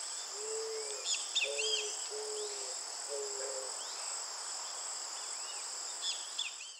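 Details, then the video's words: Four muted, low-pitched coos of an eared dove delivered in a steady rhythm, with a dense insect buzz throughout and sharp chirps of other birds above. "POMBA AVOANTE canto (ZENAIDA AURICULATA), EARED DOVE"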